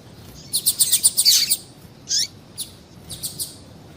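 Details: Calling female double-collared seedeater, whose call stirs males to sing: a rapid, buzzy chatter of high notes lasting about a second, then a single chirp and a few soft, quick ticks.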